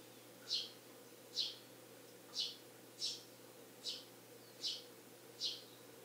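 Eurasian tree sparrow giving short, bright chirps, about one every 0.8 seconds, seven in all, over a steady low hum.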